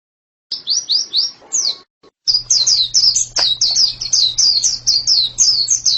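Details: White-eye song: rapid high sweet notes, each falling, about three a second, a short gap then a long steady run with a faint low hum underneath.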